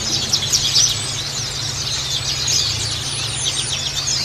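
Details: Many white-eyes twittering together, high and rapid with sharp downslurred chips layered densely over four seconds, used to encourage captive white-eyes to sing; faint low hum beneath.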